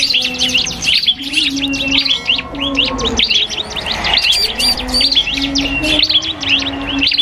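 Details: Iora (cipoh kristal) dueling in song with a prinia on a birdsong training track: a continuous stream of quick, high, slurred chirps with short breaks, over a constant low droning tone.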